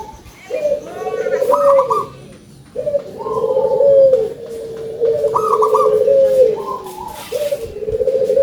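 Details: Actively singing local zebra dove, kept for its large voice, gives rolling bursts of rapid coos trailing into a drawn-out, steady low note, with a short higher note after some phrases. Phrases repeat every two to three seconds, separated by quiet gaps.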